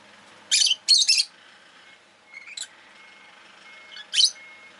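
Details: Rosy-faced lovebird, a pet bird, making two harsh chirps in quick succession, soft chattering, then another shrill chirp, with a steady faint whine and light town noise behind.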